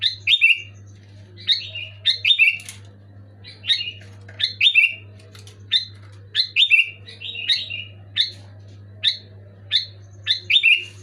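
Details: Sooty-headed bulbul singing vigorously, meant to coax quiet pet bulbuls to sing. Bright chirpy phrases of paired falling whistles recur irregularly, about every second, against a continuous low hum.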